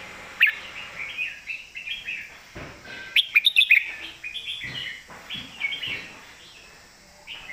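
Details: Red-whiskered bulbul singing a 'master song': a fast burst of four or five rolling whistled notes in the middle, set against busy, continuous background bird chatter.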